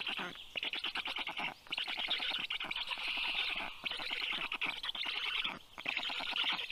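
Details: Black stork chicks, rescued and kept at a university animal clinic in Tartu, Estonia, begging at feeding time, 20 June 2022; rapid rasping bursts of one to two seconds separated by short pauses.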